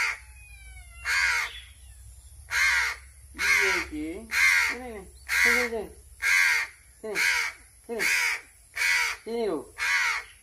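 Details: Hungry crow, hand-fed, calling noisily for more: about eleven coarse, scratchy caws at a fairly even pace, many carrying a low wobbling undertone, continuing without a break.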